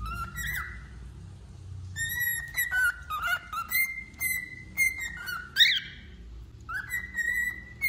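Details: Wild-type male cockatiel singing: clear whistled notes near one pitch, some rising or falling at the ends, with harmonics above. Short phrases come in uneven bursts with brief gaps and a faint low hum behind.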